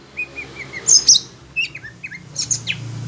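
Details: Caged Oriental magpie-robin stirred up by other birds: a few soft falling whistles, a loud piercing high burst, then slurred downward notes and scattered chips over faint low hum.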